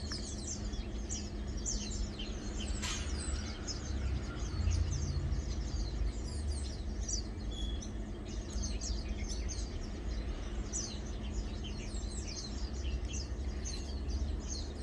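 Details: Lowland white-eye (Zosterops meyeni), locally Matang Dulong, recorded 2 August 2022: a dense stream of thin, high chirps and short twittering notes throughout, over a steady low rumble of background noise.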